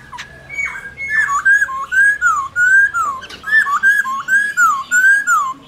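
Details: A laughingthrush sings a wild-style song of rich, loud, slurred whistles, rising and falling notes linked into varied phrases roughly every half second, over a quiet background.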